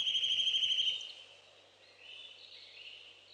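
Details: Saker falcon chicks at a nest in Hungary on 11 May 2012, picked up by a nest webcam: a loud, steady, harmonic whining call for about one second, then a softer wavering call.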